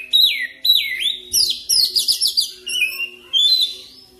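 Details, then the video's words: Oriental magpie-robin singing a lure song meant to prompt fast rolling song: loud, clear whistled notes swooping downward, then bursts of rapid buzzy trills and a final high rising phrase, with a steady faint hum underneath. "PANCINGAN KICAUAN KACER CEPAT NGEROL"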